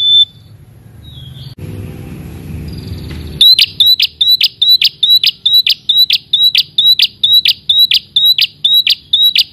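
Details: Red-headed prinia (prenjak kepala merah) calling a rival. After a few seconds of rough background noise and a brief whistle, a rapid, regular series of high whistle-and-buzz notes begins, more than two per second.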